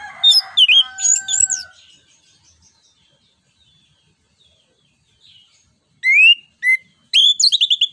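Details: Orange-headed thrush delivering its loud 'ngeplong nembak' song, played as a lure to stimulate other birds and tutor songbirds; a burst of varied high whistles with a steady lower tone, a long pause, then rapid sharp rising notes return.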